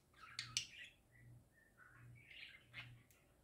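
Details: Happy parakeets singing: two loud clicks open a scratchy chatter, followed by short soft whistled notes and a rising buzzy warble, then a final click.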